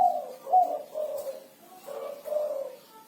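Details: Spotted dove 'kuku 6' song delivered vigorously: a loud opening coo, then softer, hollow, low-pitched coos that taper away into quiet.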